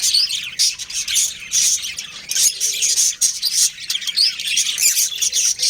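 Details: Breeding pair of pet budgerigars chirping in lively, uneven bursts of high, squeaky twitters and sharp short notes.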